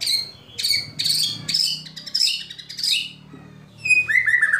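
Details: White-rumped shama giving kretekan and tembakan phrases meant to provoke other shamas into singing: bursts of high sharp whistled notes and chattering trills, a short pause, then falling whistled slurs near the end; faint low hum underneath.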